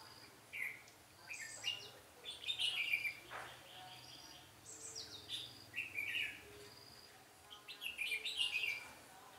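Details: Red-whiskered bulbul singing during trapping on 13 March 2017, used as a decoy in a singing duel; short warbled, chirpy phrases around the upper range, repeated several times a few seconds apart, with a faint insect hum beneath.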